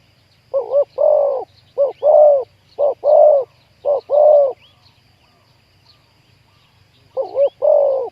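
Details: Spotted dove with a big 'khu-ang' voice, heard while luring wild doves to a trap: four quick deep coo phrases, a pause of several seconds, then a fifth, with thin chirps of other birds above.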